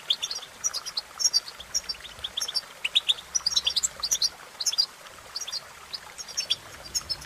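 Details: Bright European goldfinch song: fast, tightly packed chirps and twittering trills, very high and lively, running in rapid phrases with only brief pauses.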